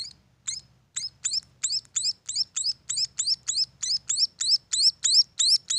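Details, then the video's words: {'caption': 'High-pitched upslurred chirps from munia chicks at a bird farm, starting hesitantly and then settling into a regular rhythm of about three calls per second.'} "suara anakan burung emprit"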